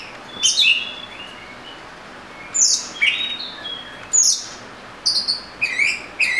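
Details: Oriental magpie-robin giving scattered high chirps and sweeping notes with pauses between, then a quick series of short repeated notes near the end.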